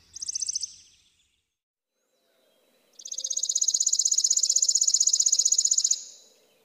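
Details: Chipping sparrow (Spizella passerina): a brief high trill ends, then after a pause a long, steady, mechanical trill of rapid identical chips runs for about three seconds.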